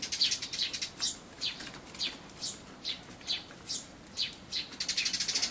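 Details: Eurasian tree sparrow chicks with a parent, possibly an old bird with an enlarged black throat patch, feeding at a bird feeder on 28 May 2013, recorded on an Everio camcorder; sharp high chirps about twice a second, quickening into a dense burst at the end.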